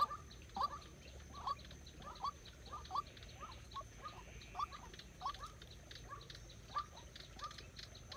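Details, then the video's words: White-breasted waterhen trained as a trapping decoy, calling short, hollow notes at an irregular pace, some doubled, others spaced out, over low background noise. "Dợt chim cuốc mồi - bẫy quốc"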